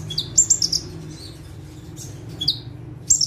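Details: Bar-winged prinia (ciblek) sitting still on one perch, giving short bursts of piercing high chirps with a falling note, separated by brief pauses, in the lively gacor style.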